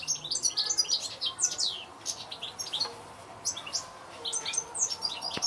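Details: Twittering European goldfinch song with quick, ringing chirps and downslurred whistles in bursts, pausing briefly around the middle before a second run of bright notes.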